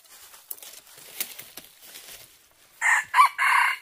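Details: Junglefowl cock crowing in a decoy hunt. Soft rustling and scattered ticks fill the first seconds, then a loud, rasping crow in three bursts: a broad opening, a brief bent middle note, then a long harsh final phrase.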